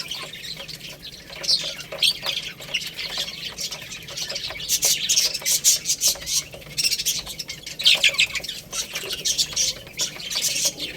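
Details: Young chickens at a rice feed: high, squeaky chirps that grow busier halfway through, mixed with rapid pecking taps on the grain.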